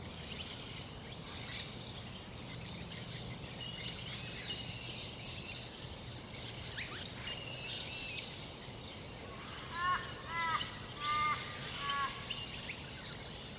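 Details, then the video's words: Australian birds singing in the wild, possibly king parrots and rainbow lorikeets, with an odd sound from an Australian raven: high thin whistles and quick repeated upslurred notes near the end over a steady bright hiss of insects. "Australian birds singing !"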